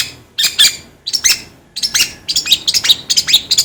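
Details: Long-tailed shrike (cendet, pentet) singing in a training recording: grating, high scratchy phrases, first in separate bursts, then joining into a quick, varied chatter.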